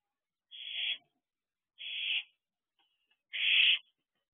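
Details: Owlets at a nest box at 1:44 am on 21 June 2023, giving three harsh, hissing screeches about half a second long, spaced over a second apart, in otherwise silent night air.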